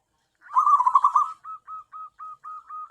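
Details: Zebra dove, a tame local bird used to attract wild doves. A rolling trilled burst followed by six or seven soft, short, evenly spaced notes.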